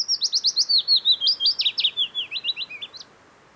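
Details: Willow Warbler in song amid lush Norwegian early summer near Geilo and Hallingskarvet, Buskerud, late June or early July; a fast run of clear whistled notes gently falling in pitch, roughly three seconds long, fading at the end over faint background noise.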